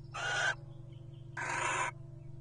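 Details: Two rasping, hissy screeches of about half a second each, roughly a second apart, from wild Little Owls courting at nest boxes in the 2023 nesting season. A constant low hum runs underneath.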